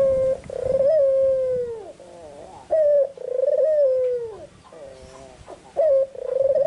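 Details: Afternoon song of a red-eyed white Barbary dove, loud and clear: repeated long rolling coos, each sliding gently downward, separated by quieter wavering notes and introduced by a short bright note, about three phrases in succession.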